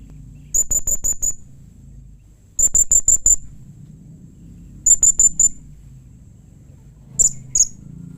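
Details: Blue-crowned hanging parrot calling in a way said to prompt other hanging parrots to answer: three bursts of five rapid, very high, thin notes, then two separate sharp notes, over a low background hum.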